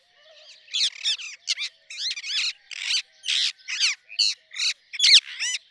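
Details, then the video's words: Rose-ringed parakeet giving a rapid series of loud, harsh, screechy notes with bent, arching tones, about a dozen calls in under six seconds, each short and grating, with brief gaps between them. "Rose ringed parakeet Song ! Rose ringed parakeet Call ! Rose ringed parakeet Sounds !"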